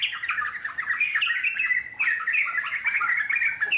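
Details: Wild Yellow-vented Bulbul giving long, rolling chattering song, hurried, slurred, gurgling phrases packed together, briefly easing near the middle before picking up again.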